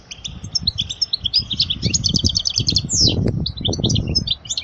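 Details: European goldfinch song used to train young birds: continuous bright twittering with repeated chirps, a rolling trill and a sharp downslur, over steady low clattering background noise.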